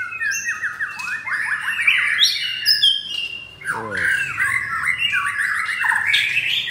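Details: Caged pied fourth-generation white-rumped shama in Jakarta, Indonesia, with coarse song material: choppy harsh phrases and squawky slurred notes, a rough descending grating sound in the middle.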